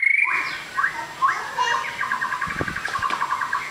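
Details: Long-tailed white-rumped shama, a fighter bird, opens with a high whistle and then sings a rapid, rhythmic run of short repeated notes; faint knocking sounds occur midway.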